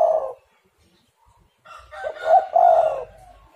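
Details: Spotted dove call used as a lure to get other doves singing. It opens with the tail of one coo, then after a pause a stuttering, throaty coo with a rustling, hissy background noise over it.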